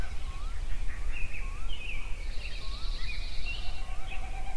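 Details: A sunrise songbird chorus at Yellowstone: short upswept whistles repeat about every second, with a high buzzy trill in the middle, mixed chirps and a low trill near the end, over a constant deep rumble.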